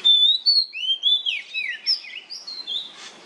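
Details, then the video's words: Loud oriental magpie-robin song of the nyemplong kind, used as a lure to get other magpie-robins singing: a steady stream of clear whistled phrases, alternately swooping and rising, about eight notes within three seconds. "KACER NYEMPLONG PANCINGAN KACER AGAR MAU BUNYI DIJAMIN NYAUT"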